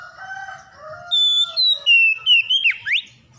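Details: Oriental magpie-robin, stressed and reluctant until provoked, sings a loud phrase of pure whistles stepping downward, ending in quick swooping slurs. A rooster crows at the start, lower in pitch.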